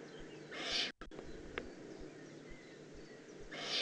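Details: Juvenile Eurasian eagle-owl in the Eifel, Germany, 18 June 2016: two hissing rasps roughly three seconds apart, the first followed by a sudden brief dropout, over steady outdoor background noise.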